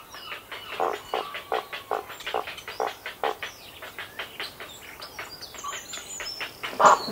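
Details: Grey heron nest with well-grown chicks and adults, recorded close: fast, rhythmic, ticking and clattering feeding calls several per second, ending in a louder harsh squawk.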